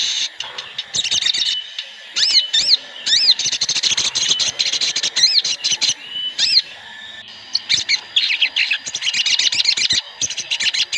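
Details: Several Sooty-headed bulbuls singing together, used as a lure recording to prompt birds to start singing quickly; dense overlapping bright chirps and arching whistled notes, with short gaps in the busy calling.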